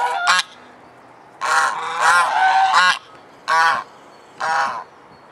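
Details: Domestic swan goose recorded in Alkmaar, Holland, giving close, loud, harsh honks, including one long drawn-out run of three blended calls followed by two single blasts.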